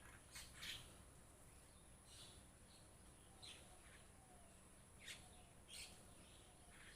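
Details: Mynas in a flock giving scattered rasping, chirpy calls, some doubled, spaced one to two seconds apart over a soft background hiss.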